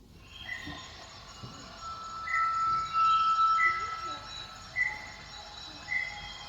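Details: Malaysian rail-babbler male singing to a female, expanding his bare throat patch, advertising: a single long, level, haunting one-note whistle of about two seconds; short higher chirps recur roughly every second over an insect-like hiss.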